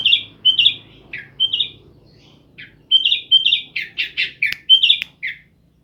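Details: Sooty-headed bulbul, kept in Jember, East Java, Indonesia, sings 'isian' filler song: bright whistled couplets and falling notes, a brief lull, then a dense burst of fuller chattering notes and a sharp click before more whistles.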